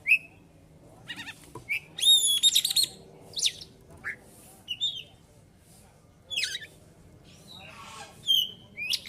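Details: White-rumped shama singing ngeplong style with mimicked phrases; scattered whistles, squeaky chirps and a harsh burst amid a faint low background hum.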